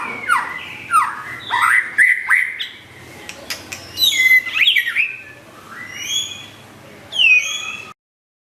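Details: A long-tailed white-rumped shama sings a varied, lively song of sharp whistles, harsh chattering bursts and high upward-swept notes in irregular phrases.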